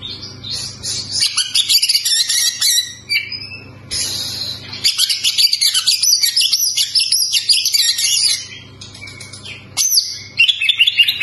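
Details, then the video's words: Oriental magpie-robin singing a song meant to make untrained birds sing more: dense, rapid, varied high whistles, trills and buzzy notes in continuous bursts, with a short pause near four seconds and a steady low hum underneath. "KACER BAHAN PASTI TAMBAH GACOR MENDENGAR SUARA KACER INI!!!"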